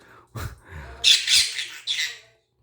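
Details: Pet talking conure parrot trying to ask for ice cream in Korean: a low human voice briefly first, then the bird's rough, hissy two-part squawked phrase followed by a shorter third syllable.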